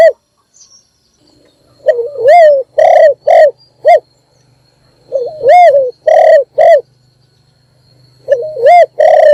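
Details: Decoy spotted dove calling in the morning to draw other doves: three deep cooing phrases, each a soft lead note followed by several rich, hoarse coos, with quiet pauses between phrases.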